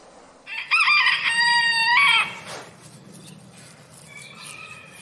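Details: Rooster crowing: a short rough onset, then a loud, tonal, strained note held for about one and a half seconds before cutting off. Faint noise and a thin high tone follow.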